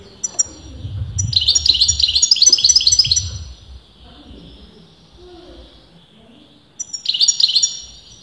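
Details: European goldfinch of uncertain sex, argued over by leading breeders, in continuous song: nearly two seconds of fast jangling, metallic twittering phrases, a quieter gap with soft low murmurs, then a renewed short burst of tinkling trills.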